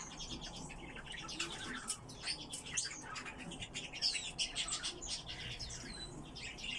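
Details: A captive Eurasian blackcap sings a busy, broken warble of sharp chips, quick trills and brief clear whistles, the phrases tumbling together steadily for several seconds.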